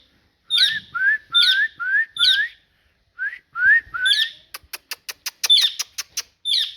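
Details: Talking parrot gives short whistles that slide upward, each led by a sharp squeak, in a quick string, then a fast train of about nine dry clicks before one more squeaky whistle.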